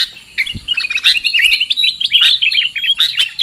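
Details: Sooty-headed bulbul lure recording used for trapping birds: dense, overlapping high chattering and twittering notes run almost without pause, with a few short gaps and a soft thump near the start.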